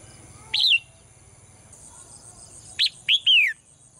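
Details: Caged female bird's morning singing: one clipped chirp, a pause of about two seconds, then two short chirps and a drawn-out falling whistle, over a faint steady high hiss.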